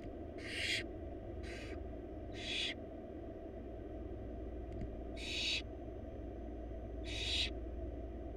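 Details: Wild barn owl chicks in a monitored nest box, four young fed a large rabbit by their mother: harsh broadband hissing screeches, about half a second each, five bursts at uneven intervals over a steady low electrical hum.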